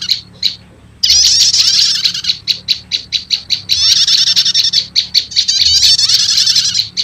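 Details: Trapper's lure of prenjak lumut prinia with prenjak setater, meant to draw in wild birds; after a quiet second, loud scratchy high chatter gives way to a row of quick repeated chips, then chatter again.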